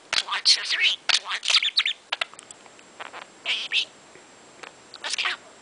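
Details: Morning chatter from a talking budgerigar, raspy warbling syllables in a busy opening burst, then shorter scattered chirps and squeaks separated by quiet gaps.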